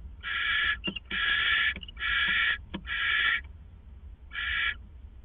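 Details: Pair of owls at their hideout at 4:49 a.m., April 27, 2014, before dawn: long raspy, breathy hisses repeating about every second, broken by short clicks and brief chirps between bursts, over a steady low hum.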